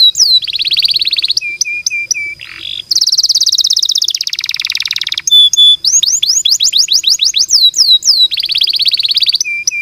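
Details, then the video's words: Canary in long, continuous song, fast trills and buzzy rolls alternating with sharp high whistled notes and a run of quick repeated downslurred sweeps, loud and clean. "Kenari gacor panjang cocok buat masteran"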